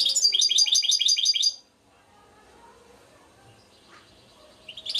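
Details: Hybrid goldfinch (baster), Suto Orizari: an opening burst of quick, ringing high trills, then near silence with a thin faint note, and the trilling resumes at the close.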